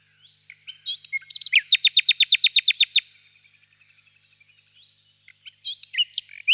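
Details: On a warm spring evening in a birch grove, a nightingale sings: short varied chirps, then a rapid burst of about fifteen repeated high notes, a pause, and more varied twittering notes.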